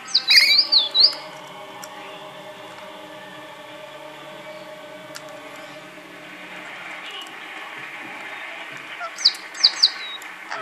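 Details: A pet male rainbow lorikeet playing with a toy bird gives short bursts of shrill, screechy chirps at the start and again near the end, with a quiet steady hum between.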